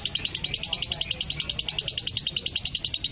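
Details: Continuous high-pitched lovebird ngekek used for training young birds: a metronome-like run of sharp chattering pulses, about seven per second, with no breaks.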